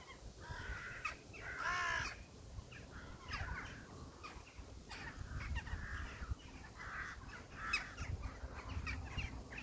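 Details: Crow giving one strong, hoarse caw early on, followed by many fainter overlapping calls from other birds against a low background rumble.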